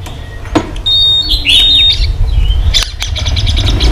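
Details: White-rumped shama in training, flicking its tail while singing competitively with many varied notes: a few clear high whistles and a bright slurred phrase, then a run of rapid dry ticking notes over a steady low rumble.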